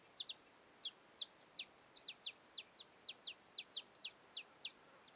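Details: A young male Saffron finch (Sicalis flaveola) in Caiapônia, Goiás, Brazil, gives a quick series of high, thin chipping notes, several doubled, about four per second, over a faint background hiss.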